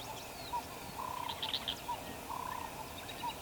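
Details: Green-backed camaroptera in Mkuze Game Reserve, South Africa, repeats a tune of short mid-pitched notes and quick rattling trills about every second, with a few higher chirps and soft bush background.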